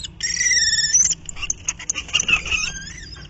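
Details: Common kestrel (Falco tinnunculus) pair on 28 March, during courtship, when the female commonly receives food from the male: a drawn-out, high whining wail gives way to a rapid run of sharp, scratchy chattering notes as the pair squabble over prey.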